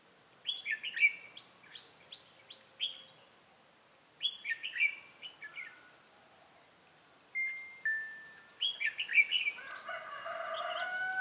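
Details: Red-whiskered bulbul singing Ché-style as a trap decoy in Bình Phước, Vietnam, on 25 June 2018; loud, chattering, warbled phrases repeat in clusters, with a steady whistled note in a gap and rising noise at the end.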